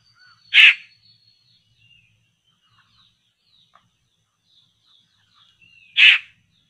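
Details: Laughingthrush recorded where traps are set for it: two loud, harsh, rasping bursts about five seconds apart, with faint thin whistles and chips from other birds between them.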